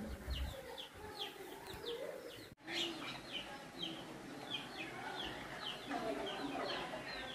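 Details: Wild Javan myna, a tame free-living bird that lives alongside people, giving short downward-slurred chirps repeated about twice a second, with a brief break midway and a steady low background hum.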